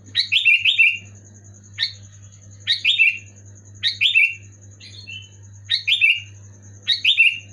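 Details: Sooty-headed bulbul in loud, clear song to trigger silent pet birds: chattering whistled phrases of two to four notes, roughly one per second, one softer phrase midway, over a continuous high whine and deep hum.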